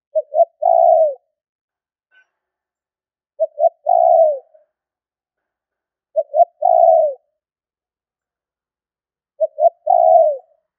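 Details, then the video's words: Spotted dove lure call repeated four times at roughly three-second intervals: each a double short coo then an extended, mellow, down-sloping note, with a tiny click between phrases. "Tiếng chim cu gáy gọi thúc kích bổi nhanh nổi"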